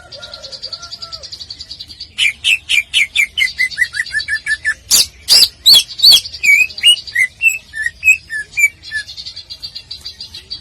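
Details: Greater green leafbird song used as a master recording for bird-singing contests: a loud, rapid series of sharp chirping notes, two to three a second, mixing clicky strokes and slurred whistles over a faint high trill.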